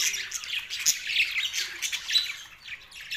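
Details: Budgies from Australia in mating-related chatter, a continuous busy mix of squawks, warbled twitters and short high chirps from several birds, rising and falling in loudness without pause.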